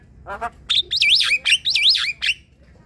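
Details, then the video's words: Javan myna kept in a group: two short rasping notes, then loud looping whistles that zigzag up and down in quick wavy phrases, broken by sharp clicks. "Jalak kebo ombyokan coba putarkan suara ini untuk memancing bunyi"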